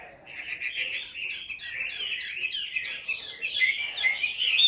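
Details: Caged, tame Chinese hwamei, a large handsome bird kept for its prolific singing, delivering a continuous stream of rich, warbled phrases with quick slurred notes and rising, ringing whistles toward the end.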